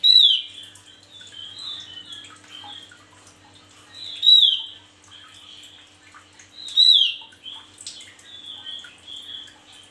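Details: Male Javan grey-throated white-eye singing vigorously, suited for tutoring other birds: loud high whistled notes with sharp descending sweeps about every 2.5 seconds, between softer warbling chatter; faint low hum underneath.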